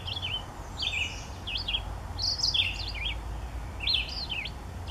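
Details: A nesting chickadee at Daly Point Nature Reserve in May 2015 gives quick clusters of high, slurred whistled notes, repeated about every second and a half, over a low steady rumble.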